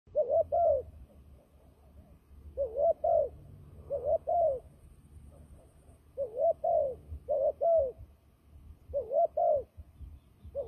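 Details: Turtle dove, described as a fighting dove whose calls are used for trapping, giving paired husky coos in short bursts about every two seconds, with a low rumbling background hum.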